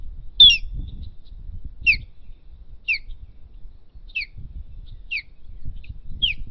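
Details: Osprey at its nest during a battle for the site, calling with clear, high, down-slurred chirps spaced roughly a second apart, against soft low wind noise.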